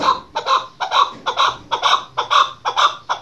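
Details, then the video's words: Female chukar partridge, a call used by hunters, given as steady rhythmic chuck notes. The notes are clucking, mid-pitched and slightly doubled, repeated about twice per second. "Keklik sesi chakor birds shikari chakor ki awaz dasi femalechakor"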